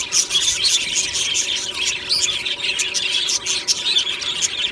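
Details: A flock of aviary budgies chirping happily in the morning: thick, high warbling chatter with a few clear whistled squeaks rising above the overlapping voices.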